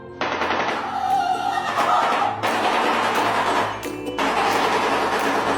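A shoebill clatters its bill in fast, hollow, machine-gun-like rattles, three long bursts with short breaks between. Faint music seems to sit underneath.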